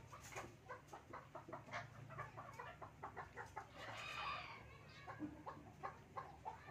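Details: Male and female Chukar pair, described as playing, giving a fast run of clucking chuk notes, a few louder emphatic notes standing out, with a faint hum underneath.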